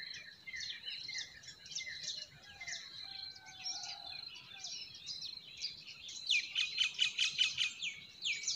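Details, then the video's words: Spring chorus of forest birds: quick high chirps tumble over each other, a lower smooth whistle passes in the middle, and toward the end a closer bird delivers a loud, fast, rhythmic run of repeated sharp notes. "Relaxing Singing of Forest Birds"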